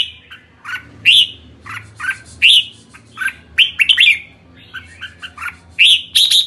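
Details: Red-whiskered bulbul in kekek calling, loud clipped chirps with brief bright rising notes, fired in quick irregular bursts of two to four, with a faint low hum beneath.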